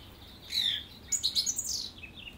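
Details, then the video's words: A song thrush gives a short burst of high, clear song: a sweeping whistled note, then a quick run of bright chirpy notes, against a quiet background. "Song Thrush"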